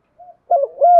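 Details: Spotted dove, a decoy bird, calling the flock: one soft short coo, then a wavering coo rising into a longer steady note.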